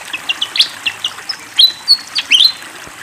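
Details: Fantail in lively song with water flowing behind: a series of short high chirps, then several clear, drawn-out whistles that rise or hold steady, over a faint watery hiss.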